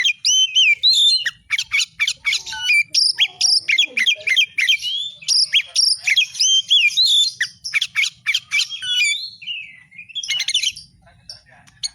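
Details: Oriental magpie-robin singing energetically in a 'fighter' style: a dense run of loud, sharp whistled notes and buzzy rasps, many sliding up and down, delivered in rapid bursts about three to four per second.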